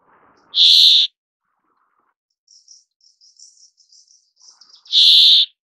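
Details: Brambling, two loud buzzy wheezing calls about four seconds apart, each roughly half a second long, with faint high twittering between them.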